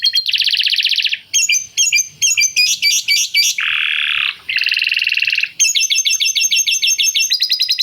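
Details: Canary singing lovebird-like chattering phrases: harsh buzzy squawks and grating rasps alternate with clipped, stuttering high notes in quick bursts. Short gaps separate the phrases.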